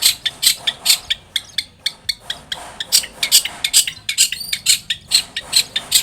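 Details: Long-tailed shrike song played as a lure so a shrike will answer: fast, high, harsh chattering notes repeated a little over twice a second with some mimic-like variation.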